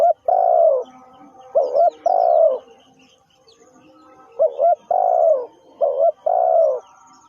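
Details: Spotted dove calling as a lure for trapping, with a brief wavering coo joined to a long, drawn-out descending croo, repeated four times. Faint higher chirps of other birds and light background murmur sound between the phrases.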